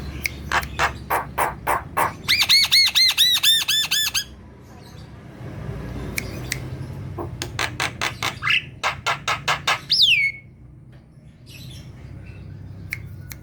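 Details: Black-winged myna kept as a cage bird, singing loudly to spur quiet birds: rapid sharp clicks, a burst of harsh ringing arched notes, more clicks and a long descending whistled squeal, with faint room noise.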